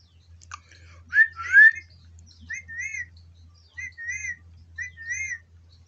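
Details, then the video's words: Indian ringneck parrot kept in a village, said to speak everything. After a person repeats a pet name, the bird gives a couple of sliding squeaky notes, then short arched whistles repeated about every second. "मिट्टू मिट्टू Indian parrot speak everything."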